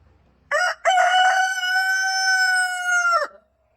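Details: Rooster crowing: a short opening note, a brief break, then one long, steady, loud crow held nearly three seconds before dropping off sharply, with a quiet background.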